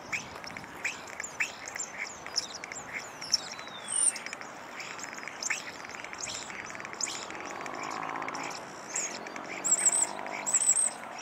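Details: Common starling at a restaurant sings its peculiar chattering song while waiting to raid a table: scattered clicks, slurred whistles and high squeaky notes amid steady background clatter and noise.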